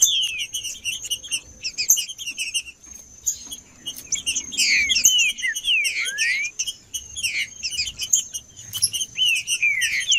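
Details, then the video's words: Green-winged saltator male in full song, meant to warm up other birds: clusters of slurred whistles, some sweeping down and one rising, mixed with rapid high twittering and a steady thin background tone. "Trinca ferro cantando Para Esquentar Trinca ferro"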